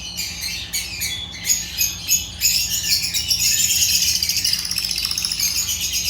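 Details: African lovebirds (Agapornis) giving quick pulsed chirps that merge into a continuous shrill, rattling chatter.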